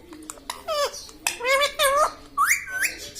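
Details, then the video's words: Talking pet parrot, credited with saying "mitthu mitthu" and "mummy", producing short word-like phrases: falling and gliding harmonic syllables in quick pairs, ending in two rising whistled notes, with light clicks between. "Talking parrot - Mitthu mitthu - Mummy Bolne Wala Tota"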